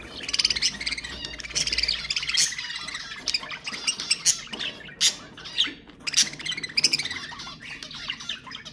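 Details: Pet budgerigars singing, played to stimulate other budgies to sing: dense, continuous chattering warble of harsh squawks, clicks and buzzy notes with bright whistled fragments, several birds overlapping throughout.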